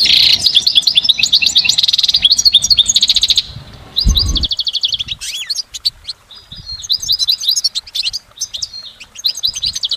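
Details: Goldfinch in nature, singing a long layered song. Loud, rapid bright twittering with buzzy rattles opens the passage, then a brief low thump, then quieter scattered tinkling notes continue to the end.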